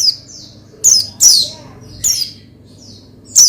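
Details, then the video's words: Oriental white-eye, played to prompt another to sing: soft high notes, then loud sharp chirps and twitters, followed by a lone falling chirp and a final bright burst. "Menaikan Emosi Burung Pleci Bahan Agar Pleci Gacor Cepat Bunyi Rajin Gacor"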